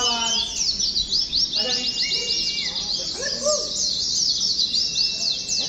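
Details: Massed singing of caged Oriental white-eyes at a gantangan used to rehearse contest conditions: continuous shrill chattering trills filling the high range, broken by a few short lower whistles.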